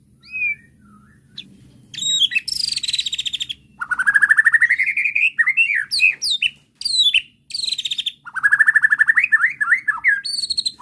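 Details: White-rumped shama bait song to make an agitated bird answer: a soft whistle, then harsh buzzy trills alternating with rising whistles and rapid descending chip runs, with a low hum beneath.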